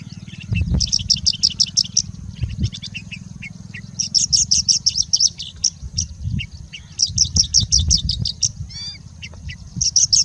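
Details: Singing bushlark in India pouring out bursts of fast, high, rattling chirp series, each a second or so long, separated by lower scattered notes and a short rising buzzy phrase; its song imitates other birds.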